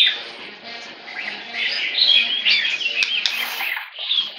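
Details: Caged male white-rumped shama kept as a pet, with a tail almost eight inches long and described as very loud; bright, rapid warbling and whistled phrases run continuously, with a few sharp clicks and cage rustles.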